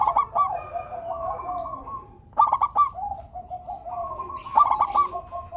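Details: Local zebra dove song for prompting reluctant birds: stuttered cooing bursts repeated about every two seconds over continuous softer coos from more than one dove.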